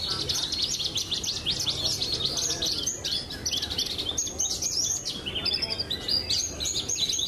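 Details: Prize-winning pied ('blorok') Javan bush lark kept for song contests, delivering a rapid, high-pitched medley of chirps, trills and quick slurs, almost without a break.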